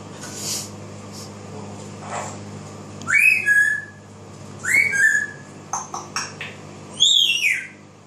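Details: African grey parrot kept as a pet, singing and mimicking voices: faint hoarse notes, then three loud clear whistles that rise and then fall, with a few quick chirps between them, against a quiet indoor hum.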